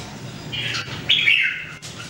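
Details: Red-whiskered Bulbul (jambul) kept in a cage during daily singing training: two short whistled phrases, the second louder and dropping in pitch, over a faint low hum.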